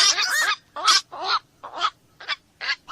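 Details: Harsh, raspy squawks from a black-crowned night heron come in loud, broad bursts about every half second. The first call is long and grating, and the later ones are shorter and hoarse.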